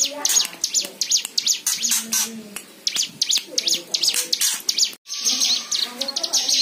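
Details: White-eye song intended to prompt other birds to sing: energetic, very high twittering chirps in quick series, a short pause near the end, with low warbled notes underneath.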